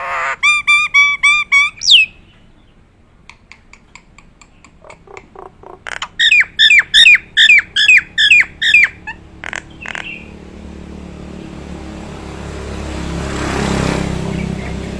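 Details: Nias hill myna, a trained performance bird, opening with a rich harmonic whistled phrase, then a fast series of about a dozen repeated whistled notes, each with a sharp sweep, before fading into a rising background hiss.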